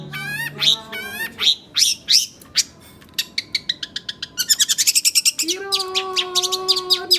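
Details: Oriental magpie-robin singing nonstop: loud sweeping whistled notes and buzzy phrases, then a fast even series of clicking repeated notes, ending with sustained tonal phrases and a steady low tone beneath.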